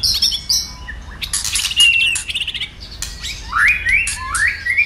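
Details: Excited White-rumped shama, tail flicking, pours out a varied song: high chirps and harsh chatter, then three loud rising whistled slurs in quick succession near the end.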